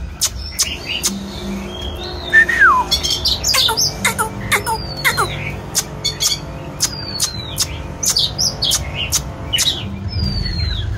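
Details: Oriental magpie-robin singing and dancing, mixing rising and falling whistled notes with a rapid series of sharp clicks and several thin downward-sliding whistles.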